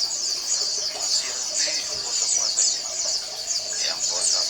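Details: Oriental white-eye colony, used to encourage non-singing males, producing a thick, unbroken band of very high, thin twittering and quick chirps from many birds, with faint lower rising notes.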